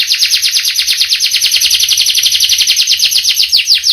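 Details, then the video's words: Canary in full voice delivering a long continuous roll, a dense fast trill of repeated downward-sweeping notes held throughout without a break. "Burung kenari gacor ngerol panjang"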